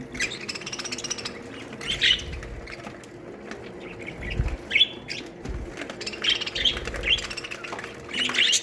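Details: A colony of budgerigars in an aviary chatters with overlapping chirps and warbles, short bright notes scattered throughout, over a steady low background hum.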